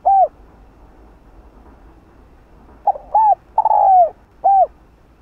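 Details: Spotted dove coo used to stimulate other doves: a single short hooting note, a pause, then a quick run of short coos and a longer falling coo, ending with one more short note; faint low background hum.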